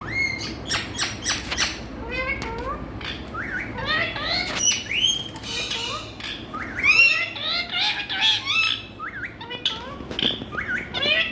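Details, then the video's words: Indian talking rose-ringed parakeets keep up a busy stream of sharp squawks, chirps and warbling chatter, with several birds overlapping and no pause, over a low hum. "Indian Talking Parrots"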